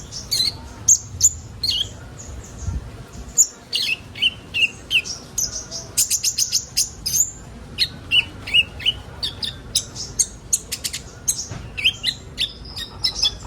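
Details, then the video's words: Sunbird song used to get young birds singing: a lively, continuous stream of very high chips, twitters and short whistled phrases, some rapid rattling runs, with slight background noise. "Burung kolibri ninja bahan ombyokan cepat gacor"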